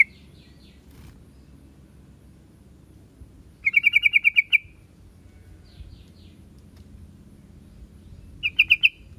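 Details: Yellow-vented bulbul giving short, rapid strings of bubbly, even-pitched notes, two bright bursts separated by several seconds, with fainter distant phrases and steady low rumble behind.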